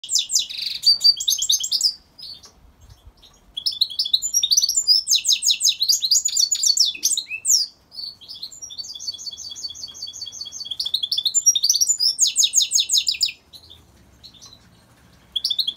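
A goldfinch mule sings bright, twittering phrases of rapid high notes, pausing briefly between bursts.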